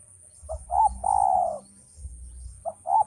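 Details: Male spotted dove giving one full phrase, a pair of quick notes leading into a sustained mellow coo, then beginning the next phrase. A faint low hum runs underneath.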